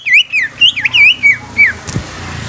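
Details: Greater green leafbird giving loud, clear whistled song, a rapid sequence of looping, rising and falling notes with bent, varied phrasing, followed by a brief click and faint low hum.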